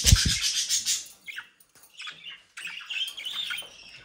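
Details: Home-bred captive budgerigars, Den Haag region, Netherlands: a loud rustling burst like wings or cage movement opens, followed by softer scratchy warbles and chirps.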